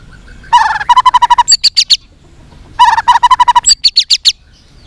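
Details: White-rumped shama, a tail-flicking fighting singer. It gives two matching phrases about two seconds apart. Each begins with a fast rattle of rich mid-pitched notes and ends in sharp, very high piercing chips.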